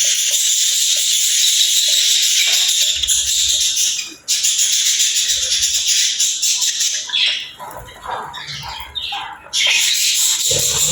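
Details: Playful pet budgerigars giving continuous high, rattling, buzzy chatter. Brief pauses and a stretch of separate chirps and warbles come before the dense chatter resumes, with faint low thuds underneath.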